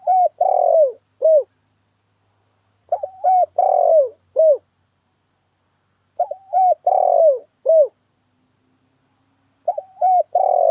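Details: Spotted dove cooing used as a lure for trapping doves: a repeated phrase of two short coos, one long wavering coo and a closing note, repeated about every three seconds in a clean recording.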